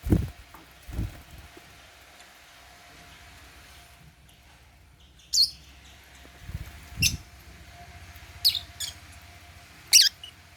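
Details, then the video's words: Meal time for caged African lovebirds feeding on holy basil: sharp high chirps spaced every second or two, mixed with low thuds and knocks. "Meal time | African Love birds | Eating Holy basil | chirping sound"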